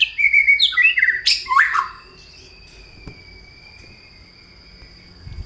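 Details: White-rumped shama, a kept male, running off sparrow-fight imitations: two seconds of quick chirps and buzzy scratchy notes, then near-silence with only a thin, steady high whistle-like tone continuing faintly.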